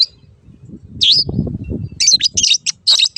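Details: Long-tailed shrike song from a master recording meant to train caged shrikes that stopped singing or changed owners: a sliding whistled note, then a burst of rapid high chirps and twittering notes over faint low rumbling.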